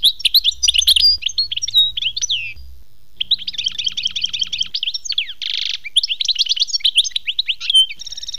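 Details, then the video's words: European goldfinch in khmis melyana style song, almost continuous: rapid twittering phrases, a pause, then long runs of repeated slurred chirps with a short harsh buzzy burst in the middle before the twittering resumes. "chant chardonneret khmis melyana"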